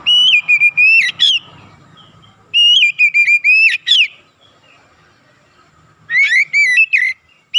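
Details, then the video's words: Oriental magpie-robin singing as a lure for other magpie-robins: three bursts of loud, clear whistles ending in sharp upward squeaks, separated by quiet pauses. "PANCINGAN TERCEPAT MENAIKAN EMOSI KACER GACOR DENGAN CEPAT"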